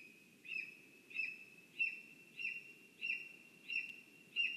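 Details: Nest-camera sound of a lesser spotted eagle in a spruce, Zemgale, Latvia: a series of seven brief, piercing kyip-like notes, each dropping slightly, spaced roughly 0.6 seconds apart, with a steady high whine throughout.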